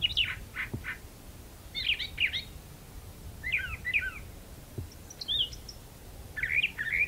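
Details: Brown thrasher in a magnolia tree delivering varied song phrases, each given twice: sharp descending chirps followed by paired rising-falling slurs, with short gaps between pairs over a quiet background.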